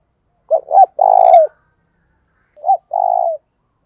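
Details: Spotted dove acting as a decoy to make wild doves call fast: two coo phrases. The first has two clipped notes and a long trilled coo, and the second is a shorter note plus a rolling coo.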